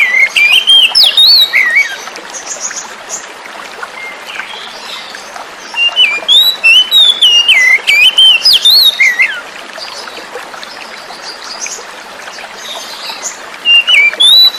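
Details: Wild-caught oriental magpie-robin singing over flowing water to lure silent birds into song; three bursts of loud, varied whistling with slurred and chirpy notes, separated by quiet spells of trickling water.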